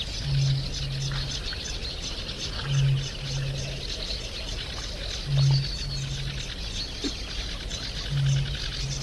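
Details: Eurasian bittern giving deep, low humming booms, each a short pulse followed by a longer drawn-out tone, repeated roughly every two and a half seconds; various small birds chirp and sing higher up throughout.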